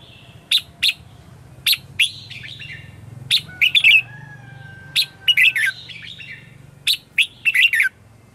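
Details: Red-whiskered bulbul decoy giving competitive 'ché' morning song to lure wild birds. Spaced bright chirps and rippling warbled groups, with a faint low hum underneath throughout.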